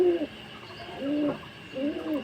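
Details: Courting pair of domestic pigeons billing, touching beaks before mating: three soft, low coos, each a short swelling hum that rises slightly and then drops, spaced under a second apart.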